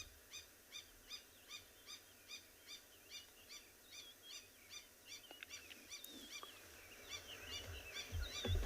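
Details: At Tswalu Kalahari Reserve, South Africa, on a 26 September sunrise drive, a lapwing gives sharp, high alarm notes about every half second, breaking into louder, ragged cries, near lionesses at a carcass with jackals nearby, over a low rumble.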